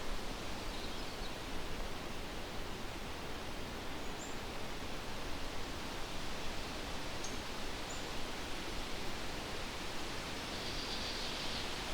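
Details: A steady, low rushing noise like wind or distant water fills the whole stretch, with no clear animal calls.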